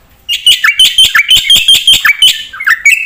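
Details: Javan pied starling singing, used as a training master to make other birds respond; rapid repeated bright whistles and chattering pulses, some notes sliding downward, delivered in a quick, steady rhythm.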